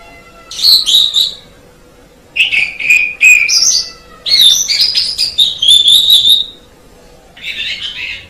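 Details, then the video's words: Asian pied starling, a jalak suren kept as a master tutor bird, singing bursts of harsh chatter mixed with squeaky whistles, separated by short pauses. "MASTERAN JALAK SUREN MEMANG SANGAT BAGUS SUARA KICAUNYA"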